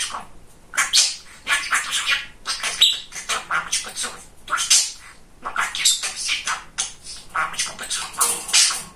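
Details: Very talkative male pet budgie producing scratchy, squawky, speech-like chatter in quick, uneven bursts with sharp high notes throughout.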